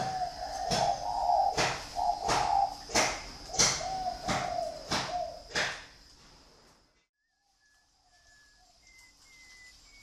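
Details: Kept dove's low rolling coo beneath loud, regular tapping clicks, then near silence with a few thin, high whistles from another bird.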